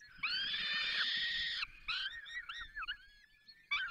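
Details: Falcons at their nest during feeding in the Barycz Valley: a long, harsh, harmonic scream lasting over a second, then shorter wavering, slurred cries and a final sharp call.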